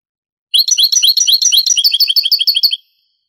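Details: Granada-style European goldfinch song, taken from a Spanish cassette of the late 1980s: mixed liquid twittering notes at first, changing to a fast, even series of repeated high chirps before stopping abruptly.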